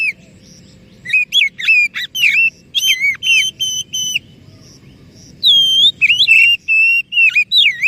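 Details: Oriental magpie-robin used as a lure to coax a silent or stressed bird into singing: a run of loud, clear whistled notes, some rising and falling, others steady, delivered in quick bursts with short gaps between phrases.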